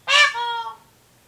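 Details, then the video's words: A male Indian peafowl calls in a residential area of Cocoa Beach, Florida, on 14 August 2019. It gives one loud, nasal, trumpeting honk that bursts out harshly, then holds steady before fading within a second. No other sounds are heard. "Male Peacock Calling Trumpeting Honking"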